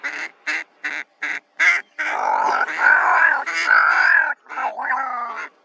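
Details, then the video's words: Pair of ravens making noise in Kgalagadi Transfrontier Park, 11 October 2021: five short clipped croaks in quick series, then longer drawn-out rasping caws that overlap and run together. "TWO RAVES MAKING NOISE"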